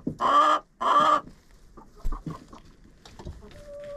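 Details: Chickens inside a coop filmed with a GoPro: two loud harsh squawks in quick succession, then quiet clucks and scratching, ending with a soft thin whistled note.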